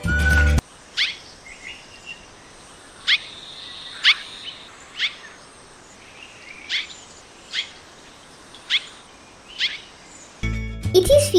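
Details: Sri Lanka Swallow, an endemic of open country, farmland and lightly wooded lowlands and foothills, usually in pairs or small groups, gives about nine sharp, high chirps, roughly one a second, with soft twittering between; brief music at start and end.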